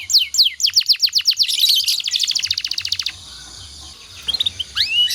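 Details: Canary song played as master song for training other canaries: a series of quick downslurred whistles speeding into a fast trill, then a quieter pause and a few sharp rising notes.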